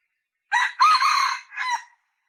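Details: A female red junglefowl gives a harsh three-part call. The short opener and the strong, long middle note are followed by a weaker, slightly drawn final note. Nothing else is heard.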